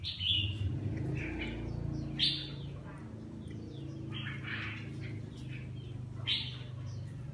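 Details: Red-whiskered bulbul, partial-cheeked and lion-crested, kept and bathing while it sings: bright slurred phrases repeat about every two seconds above a strong low droning hum.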